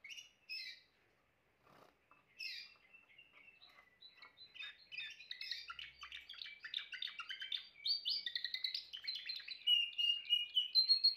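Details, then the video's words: Timbrado canary song opening with a few separated chirps and a soft trill, then building into a dense, rapid run of rolling syllables that grows louder toward the end. "chant canari timbrado l meilleur chant canari l اقوى تغريد كناري"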